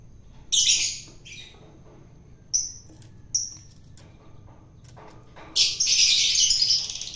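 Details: Wild-taken long-tailed shrike during taming by feeding: harsh raspy bursts, brief thin high chips in between, then a long noisy, scratchy squawk at the end.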